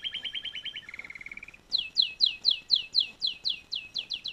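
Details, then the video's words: Canary song opens with a fast rolling trill, then a slightly rising trill, then loud, sharply downslurred chips repeated about four times per second. "singing canary"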